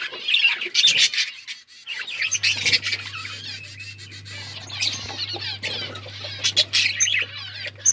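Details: Budgerigars, recorded October 31, 2023, described as talking and chirping: a dense, overlapping chatter of high warbles and squeaky chirps from several birds, with bursts of louder squawks, a brief lull near two seconds, and a steady low hum.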